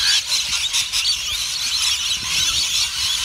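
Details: Rainbow lorikeets at Currumbin Wildlife Sanctuary: a flock fills the air with a constant wash of shrill, screechy chatter, many high calls overlapping with no pauses.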